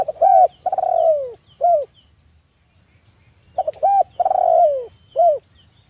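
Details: Provoking calls of a spotted dove in breeding condition, meant to trigger other doves to answer: two bursts of stuttered short notes, rounded coos and a drawn-out falling coo, separated by a quiet gap; a steady high-pitched hum behind.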